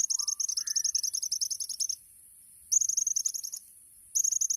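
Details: Olive-backed sunbird (kolibri ninja) in tembakan-style song. Rapid strings of piercing, high chips come in three bursts separated by short silences, with a few softer lower notes near the start.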